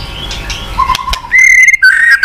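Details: White-rumped shama song meant to prompt a silent bird: a soft low whistle and faint sounds at first, then a loud clear sustained whistle and short bright slurred notes.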